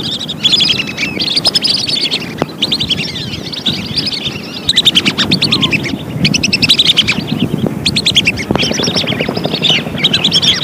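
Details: A lure recording of lesser whistling ducks: clustered bursts of sharp, high whistled notes that break off and restart several times, separated by short quieter gaps over low background noise.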